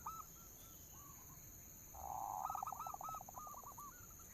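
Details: Local zebra dove cooing as a lure to make doves sing: scattered hooked notes, a swelling buzzy phrase, then a fast series of curling, bouncing coos at an even pitch, with background hiss.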